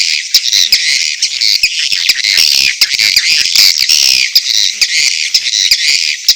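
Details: Mating calls of edible-nest swiftlets, combined with chick calls: a steady wall of high, raspy chattering trills broken by quick ticking clicks, all sounding without gaps.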